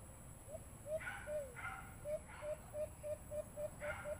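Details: White-eared brown dove call played from a Bluetooth speaker during bird hunting: a run of short, soft, low hooting notes, about three per second, interrupted by broad rustling bursts and a steady background hum.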